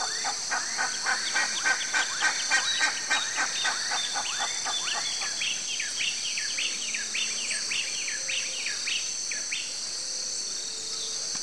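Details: Southern fork-tailed flycatcher chattering steadily: a long series of sharp, down-slurred ticking notes at a brisk even pace, fading slightly toward the end, with a continuous shrill insect hum behind.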